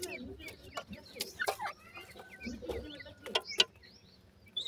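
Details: Feeding grey francolin chicks, thin upward- and downward-sliding peeps scattered among sharp clicking and tapping sounds, with a few low soft clucks underneath.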